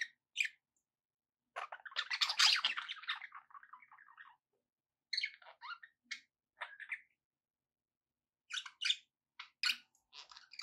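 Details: Budgies chattering: isolated chirps, then a long dense stretch of scratchy warbling, followed by scattered quick chirps and squeaks.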